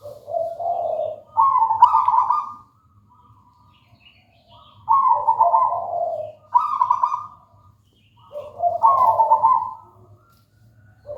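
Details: Singing local zebra dove giving repeated gentle trilled coo phrases, each pairing a low purr with a higher rolling note, about every two to four seconds, with a low steady hum behind.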